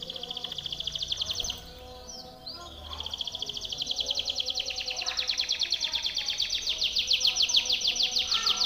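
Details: Timbrado canary song used for training canaries: long rapid rattling trills, a brief break, then a sustained fast pulsing roll that grows louder toward the end.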